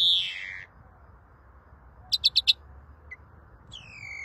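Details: A greenfinch phrase ends in a falling wheezy note, then a brief burst of four quick ticking notes and a rising, slurred twitter over a steady background hiss.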